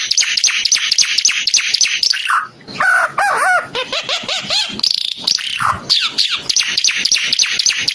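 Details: A Timor red-eyed bird mixes fast, dry ticking notes with a run of bouncing, arched whistles, then returns to rapid scratchy chatter.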